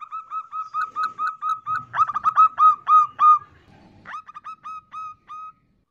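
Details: Female zebra dove calling to lure males: a fast run of short, clipped cooing notes on one pitch, swelling louder and harsher mid-run, a brief pause, then softer notes resuming and fading.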